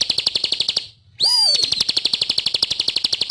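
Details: ['Bar-winged prinia, masteran recording: a high, buzzy rattle of quick repeated notes stops briefly, then a downward-curving whistle starts a new fast series.']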